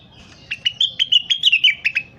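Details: Crested partridge calling steadily, used as training audio for other birds: a fast, even train of about twelve sharp chirping notes that hold one pitch before dipping slightly at the end.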